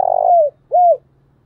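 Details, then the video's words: Spotted dove kept as a decoy to lure wild doves, calling in the morning: the tail of a rough buzzy coo sliding downward, then a single arched, mellow whistled coo. "Chim cu mồi gáy gọi buổi sáng và tiếng cu mồi thúc bổi rất sung"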